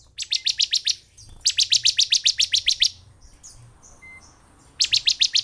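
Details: Lure song of the bar-winged prinia for activating a lazy caged bird: three bursts of fast, high, clipped notes, the middle one long at about twelve notes, with faint squeaks in the gaps.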